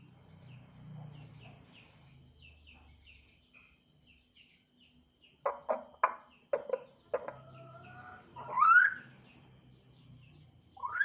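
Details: African grey parrot beginning to chirp: faint soft notes and low background rumble, then a burst of sharp clicking notes, a flat whistle, and a loud rising whistle.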